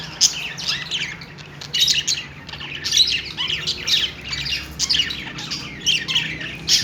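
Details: Cheerful budgerigars chattering: repeated bursts of high scratchy chirps and squawks, several birds overlapping in a busy, continuous warble.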